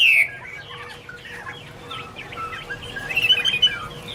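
A Chinese Hwamei sings a quick, varied run of bright chirps and slurred whistles, rising into a louder trilled burst near the end, over a faint steady hum.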